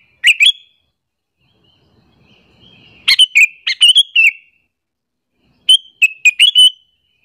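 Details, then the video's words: Lure call of a sooty-headed bulbul, meant to attract rival bulbuls and make them angry: three bursts of rapid, liquid chirps, the middle burst longest with several clustered notes, separated by quiet pauses of two to three seconds. "suara panggilan burung kutilang alasan untuk pikat"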